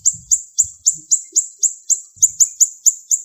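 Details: Siri-siri bird delivering 'sharp shot' song: about a dozen piercing high notes, each dropping slightly, repeated at roughly four per second, with faint low knocks underneath.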